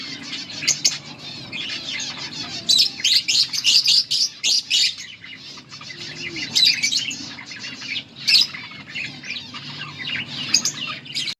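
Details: A yellow pair of budgerigars chatter in lively bursts: clusters of sharp, clicking chirps and gurgling warbles, separated by brief quieter gaps.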